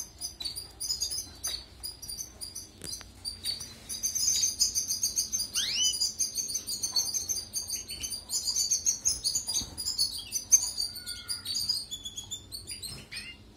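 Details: Song of a European goldfinch, used for tutoring canaries: a dense, continuous high twitter of liquid trills and chirps, broken by one steep upward-sliding note midway, with soft clicks and a low background hum.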